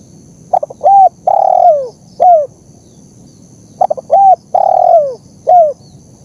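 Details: Spotted dove master recording used to train captive birds and entice wild ones: a flutter of short notes, a rounded coo, a long falling coo and a closing note, the phrase repeated after about three seconds.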